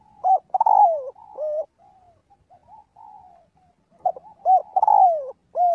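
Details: Spotted dove giving its flock-calling coo during daily voice practice; clear phrases of quick coos with a long falling note, separated by a soft murmured stretch.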